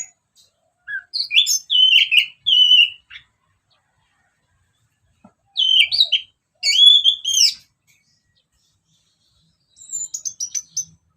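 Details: Ngeplong song of an orange-headed thrush, played as a lure: three separate phrases of varied whistles and fast twittering slurs, each about one to two seconds long, with quiet gaps between them.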